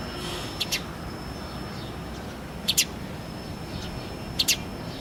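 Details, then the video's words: Early-morning house sparrow, recorded on a handycam; crisp high chirps delivered in pairs roughly every two seconds against a low, even background hiss. "house sparrow sound effect"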